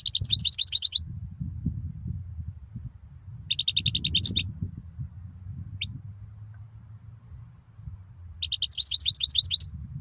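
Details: European goldfinch singing: three bursts of rapid, liquid twittering trills, each about a second long and spaced several seconds apart, over a steady low rumble of background noise.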